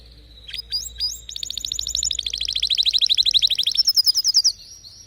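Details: Canary with distinctive notes giving a few rising chirps, then a long steady trill of rapid repeated syllables that shifts slightly higher near the end.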